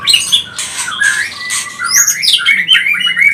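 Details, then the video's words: ['White-rumped shama (murai batu pastol) provoking song: bursts of harsh scratchy notes give way to high sweeping whistles and short chirped phrases, loud and close.'] "Murai batu pastol cepat bunyi gacor emosi"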